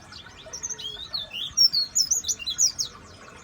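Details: A kept pleci aged seven years sings scattered high slurred notes that build into a fast, dense burst of shrill chirps toward the end.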